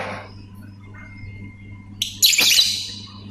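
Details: Lovebird giving ngetik and ngekek sounds: a faint thin whistle, then one loud, rasping, screechy burst lasting under a second.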